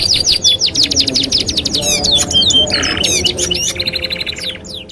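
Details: Canary master song for training, 2-in-1: a rapid string of rising chip notes, a short buzzy roll, then twitters and an even mechanical-sounding trill fading at the end.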